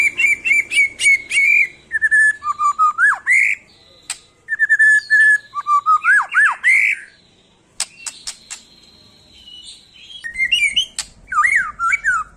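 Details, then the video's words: Rival-seeking white-rumped shama delivers fast rich whistled phrases, bouncing repeated notes, steep swoops up and down, and scattered sharp clicks, with short pauses between bursts. "Cari lawan"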